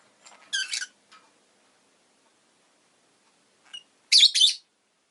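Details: Pet rosy-faced lovebird kept indoors, giving two loud harsh chirping bursts about three and a half seconds apart, each a rapid grainy double note, with a few softer ticks between.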